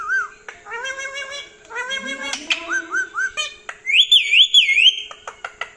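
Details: Pet parrot awake at night asking for churi; chattering speech-like voiced phrases with short whistled notes, then a high rapidly wavering trill, indoors with occasional clicks.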